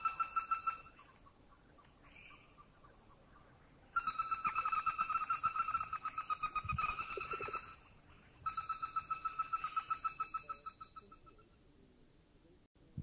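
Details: Repeated bouts of a flat, rapid rattle from a Greater Flameback in Thailand, each lasting a few seconds at about five notes per second. A brief low thud and some background noise come between the bouts.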